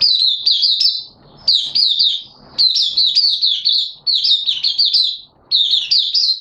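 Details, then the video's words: Malaysian mata puteh, an Oriental white-eye kept as a hobby bird, in happy open singing, recorded 25 February 2023: bright high warbled phrases of quick slurred notes, each burst about a second long with short pauses between. "Malaysian Mata Puteh Happy Buka Sing"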